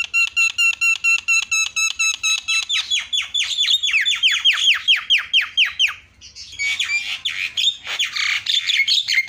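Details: Javan myna calls played as a lure for other mynas: a fast run of ringing notes changing into descending whistled slurs repeated over two per second, then a harsh scratchy chatter.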